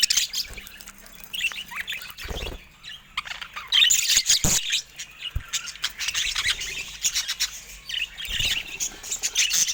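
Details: Caged budgerigars going at a camera squawk and chatter, harsh scratchy notes and high chirps in dense bursts, with loud knocks and bumps against the device.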